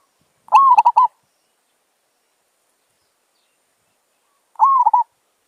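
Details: Village zebra dove (merbok) giving two cooing calls four seconds apart, each a quick upward coo followed by a few rapid stuttered notes, the second call fainter, with no other sounds.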